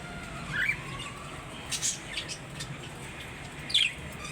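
A cockatiel gives a few short, sweeping chirps, some rising and one falling, spaced over several seconds.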